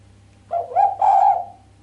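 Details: Sharp coo of a female island collared dove, with no closing 'kuk', said to provoke the male: a soft wavering opening, a rise, then a sustained buzzy note of about half a second, faint steady hum underneath.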